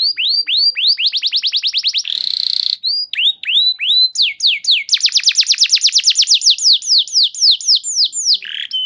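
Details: Canary lure song in the vigorous gacor style with long 'nembak panjang' phrases; quick falling whistles speed into a rattle, a brief harsh buzz follows, then rolling runs of rapid descending notes and a dense, very fast trill.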